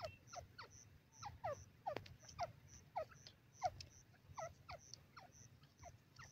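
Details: Grey francolin, called Dakhni Teetar, calling: a steady series of short, downward-sliding notes with bright harmonics, repeated roughly every third of a second, fairly quiet over a low background hum.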